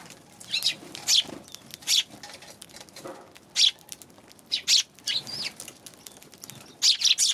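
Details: Eurasian tree sparrow recorded on 11 January: short bright chirps in irregular bursts, some doubled or in quick clusters, with soft rustling and flapping-like noise between.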